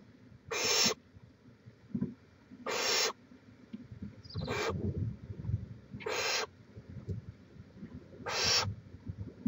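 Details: Barn owl on a nest cam in Chula Vista, California, 18 May 2017; five rasping hiss bursts, each roughly half a second, repeated every two seconds or so, with light shuffling and low hum beneath.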